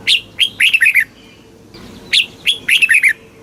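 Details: Red-whiskered bulbul, a caged bird in Thailand, giving southern master-style song meant to teach young birds and stir others: two matching bursts of lively slurred whistles, each opening with a sharp higher note.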